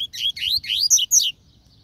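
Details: Double-collared seedeater song, a short phrase of five loud, bright notes that slur up and down, the final two highest and sharpest, with only quiet background.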